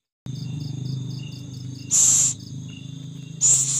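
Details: During feeding of its young an owl makes two loud, rasping hiss bursts about one and a half seconds apart, with a low hum and steady cricket chirping underneath.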